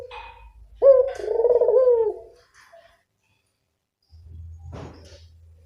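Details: Lure call of a local Barbary dove: one deep purring coo starting with a brief upswept note and trailing into a long rolling tone, followed by silence and low background rumble.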